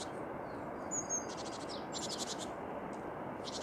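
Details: Tits singing with a clear high whistled phrase, then several grating, buzzy rattles in quick succession, with a faint hiss throughout.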